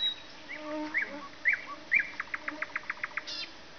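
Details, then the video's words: Nightingale singing: a few short whistled and slurred notes, then a rapid run of about ten sharp, evenly spaced clicking notes, ending in a brief buzzy burst, over a steady low insect-like hum. "Поёт соловей."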